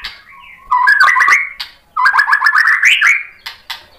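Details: White-rumped shama singing, used to goad other birds into replying: two bursts of rapid, chattering warbled notes climbing in pitch, separated by a short pause, with scattered clicks around them.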